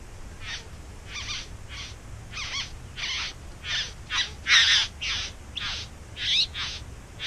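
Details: Bowerbirds nesting in a back yard: a series of short, harsh, rasping bursts, about a dozen in seven seconds, some with scratchy rising notes, over a low steady background hum.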